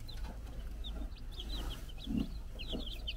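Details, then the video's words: On a Czech farm, four-day-old chicks running around with a brood hen utter thin, high, slightly falling peeps in loose series, over a low background rumble and a few soft thuds. "Our New Cute Baby Chickens Running Around and Chirping"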